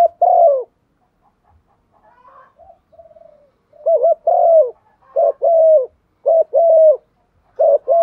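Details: Spotted dove decoy cooing in proper form to make other doves call; after a brief coo and soft low murmurs, a quickening run of low phrases, each a short wavy double note and a longer level-then-falling coo.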